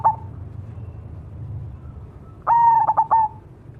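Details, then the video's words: Zebra dove, cemani variety. The tail of one phrase is followed, after a pause filled with low rumbling noise, by a full song phrase: a long mellow note and then several quick staccato coos. "suara burung berkutut cemani gacor mangung"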